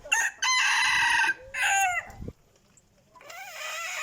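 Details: Decoy rooster crowing well, recorded in 2021: two strong harmonic crowing phrases in quick succession, the first long and level, the second shorter, followed after a pause by a softer, wavering crow-like call.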